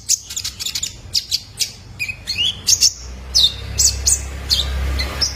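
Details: Juvenile male purple-throated sunbird (kolibri ninja) used as a lure to set caged birds singing: sharp high chirps and short buzzy notes in quick irregular bursts, with a low hum underneath.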